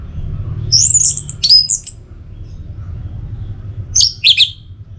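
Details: Orange-headed thrush song used as a stimulus for singing: high, thin whistled and slurred phrases, a longer run near the start and a shorter twittering burst later, with quiet low hum between.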